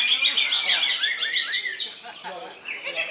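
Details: Greater green leafbird singing in continuous 'koncer mutlak' style with strong volume: a fast, dense stream of high, varied whistled and chattering phrases, rising and falling quickly, loud in the first two seconds then softer.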